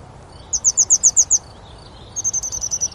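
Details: At Oukaimeden in Morocco, a grey wagtail gives seven evenly spaced shrill high notes, then a faster, denser run of thin high notes.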